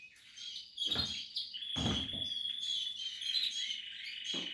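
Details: Portuguese harlequin canary chicks in the nest giving thin, high continuous cheeping and sustained whistled notes, with soft rustling thumps at intervals.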